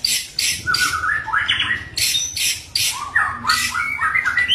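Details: White-rumped shama in the wild at Bahorok giving harsh, rasping bursts that alternate with short, rising whistled notes. The phrases repeat in quick, uneven succession over faint background noise.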